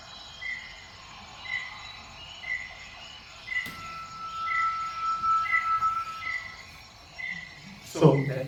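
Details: Male Malaysian Rail-babbler singing while expanding its bluish neck patch: one long, haunting, steady one-note whistle of about three seconds, over soft chirps repeated roughly every second and a thump at the end.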